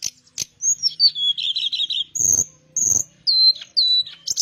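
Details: A teledekan Melayu flycatcher singing vigorously: a high whistle dropping into a warbling buzzy trill, then clear level whistled notes and descending slurs, with soft background rustling.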